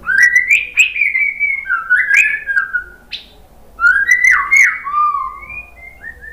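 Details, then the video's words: White-rumped shama song used to coax another bird into singing: clear whistled phrases sliding up and down, delivered in three main bursts with short pauses between them. "KICAUAN MURAI BATU merangsang BUNYI jadi NYAUT GACOR NGEPLONG BONGKAR ISIAN ¦ PANCINGAN MURAI"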